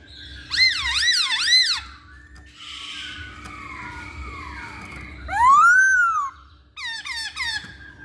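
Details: Masked laughingthrush used to lure other birds into song: rapid trilled zigzag whistles, soft gliding tones, a long arched whistle, then short downslurred notes.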